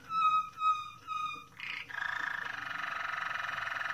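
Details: Moroccan Malinois canary song opening with three level whistled notes with bright overtones, a short buzzy burst, then a dense rapid bubbling roll that continues to the end.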